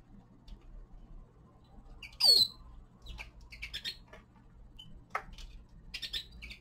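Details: Young male common linnet, winter: a loud falling swoop early on, followed by spaced, varied chirps and short buzzy twitters, set against a faint steady hum.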